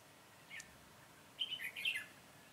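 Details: Red-whiskered bulbul decoy singing on 22 September 2017 during a bird-trapping session, delivering a short, lively phrase of bubbling whistled notes that rise and fall rapidly after a brief single chirp, against faint background hiss.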